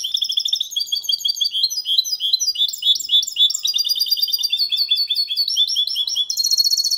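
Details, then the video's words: Clean Málaga-copy singing by a goldfinch × canary hybrid, aimed at stimulating hens and tutoring young birds: seven seconds of nonstop high, liquid twittering mixed with rattling runs, ending in a fast dense trill. "Mixto de Jilguero Cantando Limpio sin errores (copia malaga) Hybrid de Chardonneret chantant propre"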